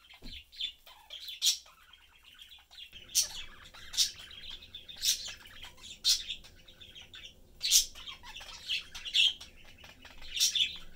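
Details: Pet budgerigar family of three, a blue father, a yellow mother and their young, chatting while eating: continuous warbling chatter with sharp high chirps every second or so over a quiet indoor hum.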